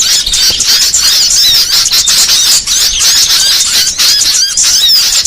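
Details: Recording used to lure small birds such as sogon, konin and red-headed prenjak into traps: sharp repeated chirps and tangled high twitters overlap densely, with the pulsing chatter keeping a steady intensity.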